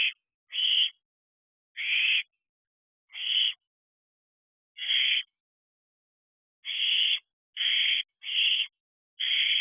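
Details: Fledged barn owl owlets at an owl box before dawn, 4:13 am, 7 July 2023, nearing dispersal at week 13; about nine raspy, hissing screeches at irregular intervals with a long pause midway, no other sounds.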